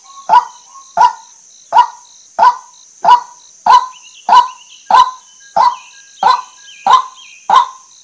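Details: Female white-breasted waterhen giving a long series of twelve clipped, harsh, honking notes at an even pace, roughly one every 0.7 seconds, with a thin continuous high hum behind and faint short whistles.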